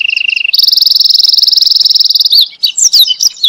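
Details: Canary song used as a master recording for teaching other canaries: a short level trill, then a long, fast, very high rolling trill, followed by scattered bright twittering notes.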